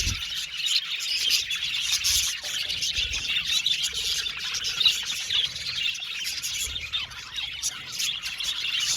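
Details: Aviary colony of budgerigars chirping happily: a steady wall of bright, overlapping twitters and short squeaks, busy and unbroken throughout, with occasional soft low thumps.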